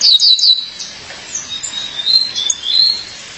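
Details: Female violaceous euphonia calling her mate: high, thin descending notes in a quick cluster at the start, then softer sliding whistles spread through the rest.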